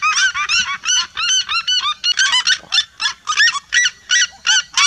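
Red-legged seriemas in a flock chorus, loud yelping notes repeated almost three times a second, overlapping into a vibrant, goose-like clamor.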